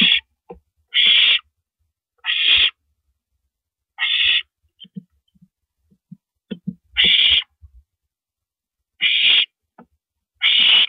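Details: Owl heard around 1:27 AM on April 9, 2012, while a rabbit is swallowed; irregular harsh, breathy screech bursts mixed with scattered quiet clicks and brief scratchy noises.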